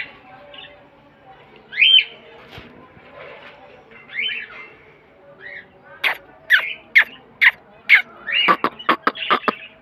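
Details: Green Mithu parrot at home producing scattered rough squawks at first, then a fast run of sharp, clipped chirps and squeaks repeated several times a second during the last four seconds.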